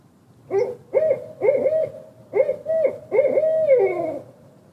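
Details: Barred owl gives a rhythmic run of about six deep, resonant hoots, ending in a long drawn-out note that slurs downward; no other sounds intrude.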